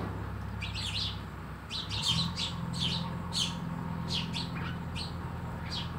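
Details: Sparrows chirping around a house, with sharp high chirps in loose groups every second or so and a constant low droning hum underneath.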